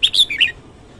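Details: Morning song of a red-whiskered bulbul, recorded free of background noise: a rapid phrase of four or five loud, clear whistled notes, the first high, the later ones sliding lower, ending within half a second.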